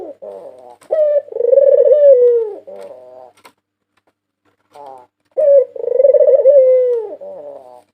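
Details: Champion white ringneck dove of 2022 cooing as a lure: a sharp opening note runs into a drawn-out trilled coo that sags downward, followed by softer rattling notes, a pause, then the same coo again.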